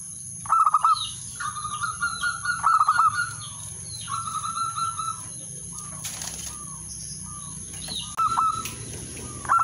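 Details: Male zebra dove calling a rival: staccato cooing phrases at a mid pitch, short bursts of quick rolling notes broken by pauses, with a brief flutter and a steady background hum.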